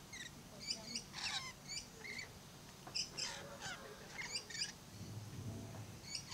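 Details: Blue-streaked lory kept at Lion Country Safari in Florida: repeated sharp, high chirps and squeaky notes in irregular clusters, with faint low rumble and voices in the background.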